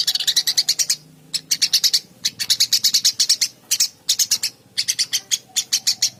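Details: Eurasian tree sparrow giving dense, energetic chirps: rapid bursts of loud, sharp notes, each burst about a second long, split by short breaks throughout.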